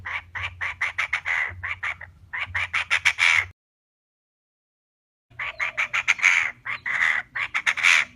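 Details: Female Chinese francolin call used for trapping: rapid, rasping note series in two long bursts separated by nearly two seconds of silence, low hum beneath.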